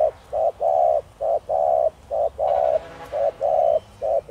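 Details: Thổ Đồng-style spotted dove used as a lure for wild doves: steady run of alternating short and long hollow coo notes, about one per half second, with faint background noise.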